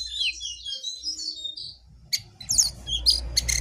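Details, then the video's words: Jongkangan singing actively, a gacor performance: thin high whistled notes sliding and warbling, then sharp bright chirps in quick bursts, over a low steady hum. "Jongkangan GACOR"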